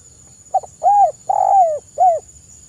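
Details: Spotted dove giving its soft call, used as a lure: a brief double note, then a rounded coo, a longer drawn-out coo falling at the end, and a final short coo, all low, clean and mellow, with a faint steady high whine behind.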